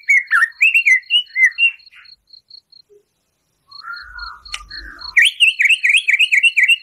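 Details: Murai batu (white-rumped shama) song for provoking a caged bird: looping whistled phrases, a quiet gap with a low hum and a dry tick, then a rapid run of bright, bouncing notes, while a faint high beeping repeats steadily.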